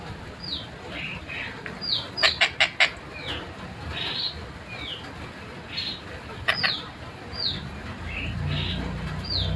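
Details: Collared kingfisher (tengkek buto) in lively, clear, fast-paced song used as a tutor recording: short downslurred whistled notes high in pitch, repeated at roughly one-second intervals, with bursts of sharp clicking knocks near two and six and a half seconds.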